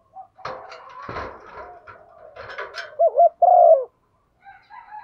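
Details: Female spotted dove stimulating a male: rustling and clattering noise at first, then a clear low double coo followed by a longer, steady falling coo.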